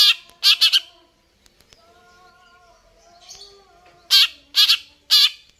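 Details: Actively singing greater green leafbird gives rasping, broadband chattering notes in two quick groups, with a quiet stretch of thin, steady whistles between them.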